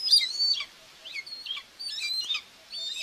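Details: Nest cam in Tiszalök, Hungary, 2 June 2024: a common buzzard mother feeding two young; a few high, wavering whistled notes in short clusters separated by quiet gaps.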